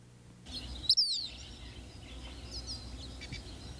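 Eastern Phoebe giving two quick, high, buzzy notes in close succession, followed by a few fainter chirps over a soft outdoor hiss.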